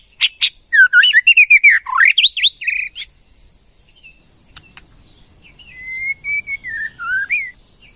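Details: Singing female White-rumped Shama, stirring a male to sing: a dense, varied burst of loud, swooping whistles and trills for three seconds, a pause, then softer, lower drawn-out warbling whistles, with a faint steady hum behind.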